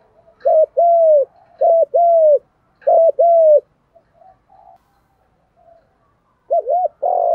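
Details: Male and female spotted doves calling to rouse birds for training, thúc gù style; three quick phrases of a paired note and a sustained falling coo, a pause with soft notes, then a fresh phrase beginning.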